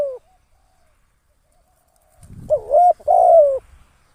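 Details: Decoy spotted dove for trapping. A clipped coo ends, then after a silence comes one loud phrase: a rising, bending coo and a long, steady coo that slides down at the end. A soft rustle is heard before it.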